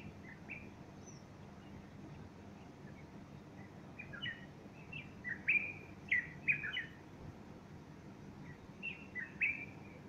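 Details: Bulbul singing on a Sunday morning, 30 August 2015, with a female perched beside it fluffing her feathers; short whistled, slurred phrases in scattered bursts, loudest midway, over a steady low hum.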